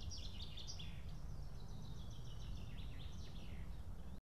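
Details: Young female white-tailed eaglet on a nest in Estonia, evening of 8 June 2018, calling for help to be fed after failing to tear apart a live fish; thin high chirping peeps repeated throughout over a constant low rumbling background.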